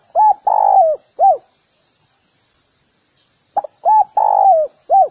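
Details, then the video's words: Cooing spotted dove, played to provoke males and females to fight: two phrases, each of short notes, a long buzzy coo sliding down at its end and a final arched note, separated by a pause of about two seconds. "Tiếng chim cu gáy kích bổi kích trống mái gáy gù đánh nhau"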